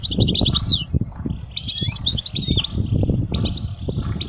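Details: A European goldfinch sings, a recording for teaching young goldfinches: quick high twittering runs and buzzy notes, over steady low rumbling and knocking noises.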